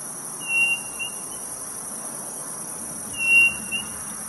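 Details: Northeast Brazilian quail, the codorniz, giving two pure whistled phrases, each a long note and a brief follow-up, spaced under three seconds apart over a constant insect drone.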